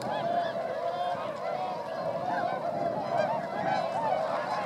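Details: Swans flying over rice fields in Motono, Inzai, Chiba Prefecture, Japan, December 2014, part of a wintering gathering of 905 birds; many overlapping honking and trumpeting calls merge into a steady, busy clamour.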